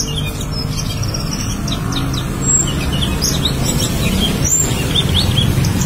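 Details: Black-winged starling singing loudly and melodiously in an energetic, chattering style: a dense, continuous stream of short high chirps, squeaks and brief whistles over a heavy low rumble of background noise.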